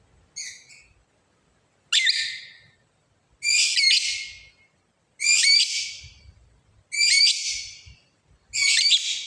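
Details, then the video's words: Lovebird calling to a rival: loud, harsh, rasping shrieks repeated at fairly even intervals of about one and a half seconds, with near silence between. "suara Burung lovebird ngekek panjang manggil lawan"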